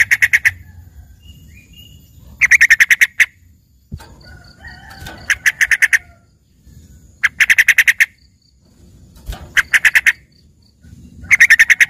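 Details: Yellow-vented bulbul giving a trained 'isian' song compared to a green leafbird's: short bursts of rapid stuttering notes about every two to three seconds, with a faint thin whistle and a soft knock between bursts.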